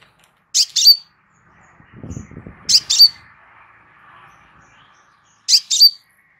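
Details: Relaxed crimson sunbird song intended as a training master for other birds: three paired high, harsh chip phrases with whistled endings, spaced about two and a half seconds apart, with soft low rustling between them.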